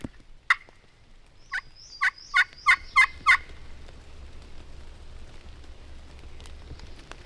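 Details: A wild turkey gobbler on Illinois public land gobbles: a single loud note, then a rapid run of six rough, throaty bursts over about two seconds, with faint bird calls in the background.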